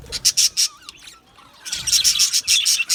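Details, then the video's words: Australian budgies in an aviary colony, singing and chirping: bright, high, clipped notes in quick bursts, then a short quieter gap with thin twittering before a dense run of chirps resumes. "Australian Budgies Singing and chirping sounds"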